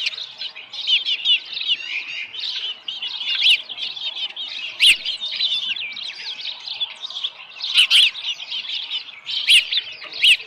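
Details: Osprey calling at the nest, small live fish present, July 2018 morning; steady high chirping series punctuated by several sharp clicks or snaps.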